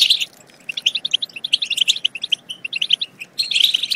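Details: European goldfinch singing a batbata meant to excite goldfinches into song and mating: an opening twitter, then a string of crisp chirps, a pause, and a final dense tinkling burst.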